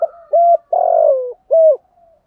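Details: Spotted dove used as a decoy bird to lure wild doves, cooing: three low, hollow coos, the middle one drawn out and falling, in quick succession against a quiet background.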